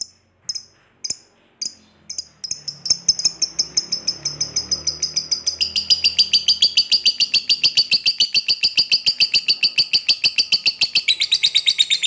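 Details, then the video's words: Lovebird giving long chatter used to provoke a lazy lovebird into singing: a few sharp separate chirps, then a fast, steady run of high, harsh notes, roughly eight per second, continuing without a break. "Lovebird ngekek Panjang ini Pintar Memancing Emosi Lovebird Malas Bunyi"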